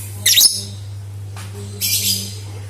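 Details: Lovebird sound used as a lure to make other lovebirds sing: a short burst of harsh, high screechy chatter, then a longer rasping burst after a pause, over a steady low electrical hum.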